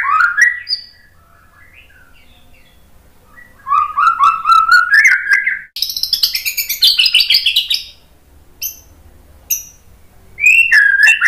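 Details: White-rumped shama song for provoking other birds to sing: varied phrases mixing low rolling whistles with a fast, high rattling trill, separated by quiet gaps.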